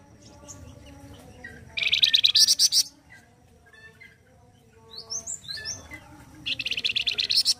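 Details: Flamboyan bird singing loudly in gacor kasar style as master song for songbirds. Two strong, buzzy, high-pitched rattling trills, each about a second long, surround a stretch of quick rising whistled notes and soft chirps.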